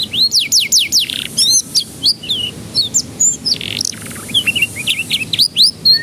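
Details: Canary song played to coax young canaries into singing: strings of sweeping rising-falling whistles, a buzzy note near the middle, and lively chirped phrases continuing without a break.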